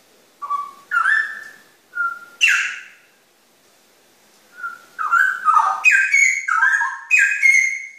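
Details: Straw-headed bulbul, known locally as cucak rowo, singing loud, rich whistled phrases that slur down and up, in two bursts separated by a pause, ending in a fast bubbling run of warbled notes.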